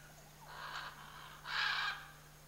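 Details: Scarlet macaw, one of a pair in the Chiquibul area, giving two harsh, raspy, broadband squawks, the second louder and longer, with steady low hum in the background.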